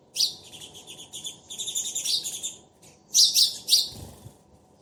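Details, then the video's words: A pair of sparrows calling to each other: dense bursts of high, rapid chirps and twittering, a busy run of notes, a pause, then three louder sharp chirps close together. "Sparrow Pair Speaking Each Other"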